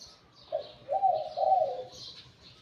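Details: Wild-caught spotted dove kept as a decoy bird, with a medium-to-deep voice, giving one mellow three-part cooing phrase, the last two notes longer and stronger, while faint high chirps from other birds sound behind.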